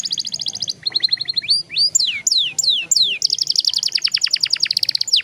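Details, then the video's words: A young canary rolls through its song, with rapid trills, a series of loud downward-slurred whistles, then a long fast rattle of repeated notes ending in a falling sweep. "PANCINGAN KENARI PAUD NGEROLL PANJANG"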